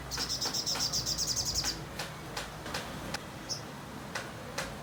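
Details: Sogon song, kept as tutor material for magpie robins. A rapid, very high buzzy trill of even pulses lasts about a second and a half, then gives way to scattered sharp clicks and a short high note.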